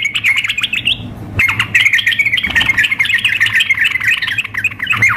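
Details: Female sooty-headed bulbul calling a male, blended with a lively singing bird in a contest simulation: dense, continuous chattering of quick bright notes for five seconds after a brief pause.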